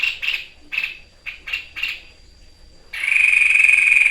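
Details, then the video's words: White-chested babbler in full song for a training recording, 'tembakan' shooting style: spaced harsh rasps, then an abrupt loud, buzzy, pulsing sustained trill. "FULL TEMBAKAN MAUT TEPUS DADA PUTIH GACOR"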